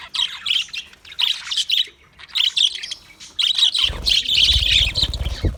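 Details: Australian English budgie, February 14, 2024, chirping in short warbled phrases separated by brief silences, then a longer burst of chatter over a low rumbling noise.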